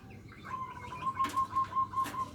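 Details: Local zebra dove singing in the nutut style to provoke rival birds: a steady series of about eight soft, whistled coo pulses at one pitch, broken by two sharp bursts of wing flapping.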